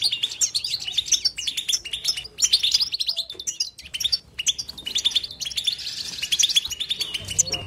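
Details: European goldfinch singing a continuous twittering song, called batbata, with no silent pauses: rapid bright chirps and short trills run together, with brief dips in loudness near two and four seconds.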